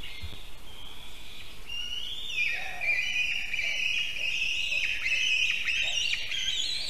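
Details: White-tailed eagle eaglet screaming at dawn, 6:04 am on 18 July 2023, at a nest atop an old broken spruce in Kurzeme, Durbe Municipality, as a parent lands on the treetop; a thin high scream rises and holds for several seconds over steady background noise.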